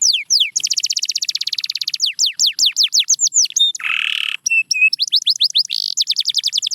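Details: Canary song used to bring back singing in quiet canaries: a fast rolling trill, descending whistled sweeps, a buzzy burst, then flat whistles and more rapid trills.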